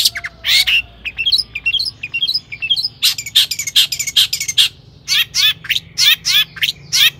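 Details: Long-tailed shrike song used as a lure to rouse other shrikes: sharp, high chirps and down-slurred notes in quick bursts, separated by short pauses, with varied mimicked phrases.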